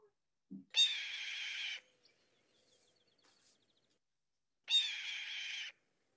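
Red-tailed Hawk giving two long, hoarse, rasping screams, each about a second, spaced about three seconds apart; otherwise quiet.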